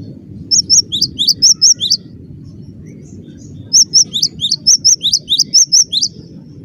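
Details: Cinereous tit in full, frequent song: two runs of rapid, piercing high notes, alternating slightly higher and lower pitches, the second run longer, with a low background hum throughout.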